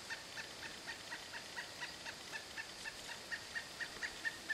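A pileated woodpecker gives a long series of loud, ringing notes, about four a second, growing stronger toward the end, over a steady background hiss.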